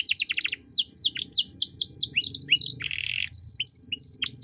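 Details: Fast canary song of the 'cengkok mewah' type used to train young birds, with falling slurred whistles repeated rapidly, a harsh buzzy burst, then level piping notes; faint low rumble underneath.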